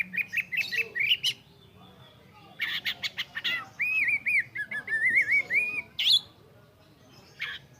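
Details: Oriental magpie-robin song: quick repeated chirps, then a run of looping whistled phrases and a loud high upslurred note, with brief pauses between phrases.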